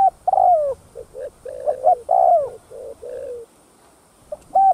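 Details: Spotted dove in the 'thúc gù' cooing style used to lure other doves: strong descending hoots alternate with runs of short, soft, low coos, then a pause and a final sharp note.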